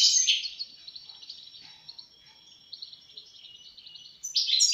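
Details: European goldfinch giving a soft, steady run of thin, high repeated notes, framed by louder, bright twittering bursts at the very start and end.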